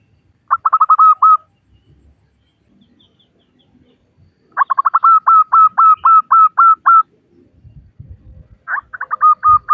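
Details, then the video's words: A local female zebra dove calling to males: three phrases, each opening with a higher note followed by a rapid run of short, clipped cooing notes. The middle phrase holds about ten notes, and a faint low rumble sounds between phrases. "Suara Burung Perkutut Lokal Betina Memanggil Jantan"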